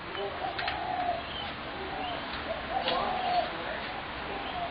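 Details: Spotted dove recorded 21 January 2017, giving low, gentle cooing phrases of a few rolling notes over a steady background hiss, with faint chirps of small birds.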